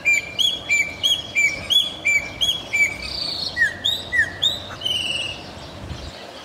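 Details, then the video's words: Chopi blackbird (Gnorimopsar chopi) song in Santa Cruz de la Sierra, Bolivia: varied, melodious, loud clear whistled notes, often slurred and rising, about three per second, over a steady hiss of insects. "Chopi Blackbird Song"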